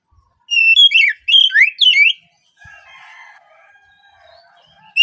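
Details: Oriental magpie-robin used as a morning singing prompt for untrained speckled juveniles. Three loud whistled phrases with twisting up-and-down slurs, then a quiet patch of faint background sound.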